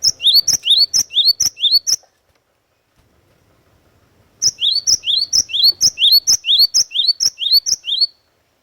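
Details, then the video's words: Great tit (glatik watu) in vigorous song: strings of two-note phrases, a high clear whistle then a lower rising note, repeated briskly about twice a second, one burst, a short pause, then a longer burst. "KICAUAN GLATIK WATU PIKAT GACOR"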